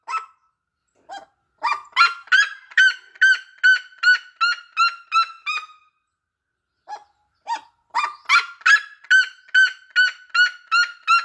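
Red-legged seriema giving two bouts of loud, ringing, yelping notes, about two or three per second, each bout starting with a few short notes and then running steadily.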